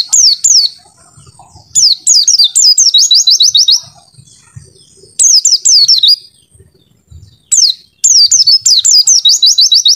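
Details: Oriental white-eye, kept as a training songster, delivering bursts of bright high whistles: steep falling slurs followed by fast rising trilled notes, each phrase lasting one to two seconds with short pauses between.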